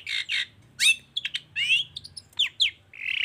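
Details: Long-tailed shrike in lively full song, used to prompt other shrikes to sing. A varied jumble of harsh buzzy notes, squeaky upslurs and clear whistled phrases, ending in a drawn-out rasping note.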